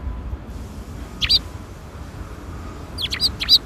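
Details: Sparrows coming for food at a Tenmangu shrine, April 2021 afternoon; a single sharp chirp, a quiet gap, then a quick cluster of three high, clipped chirps at the close.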